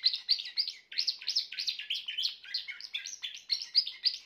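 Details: Grey Timbrado canary singing a continuous, fast warbling song of rolled and twittering notes, dense and bright, about three to four notes each second with a short pause near the first second.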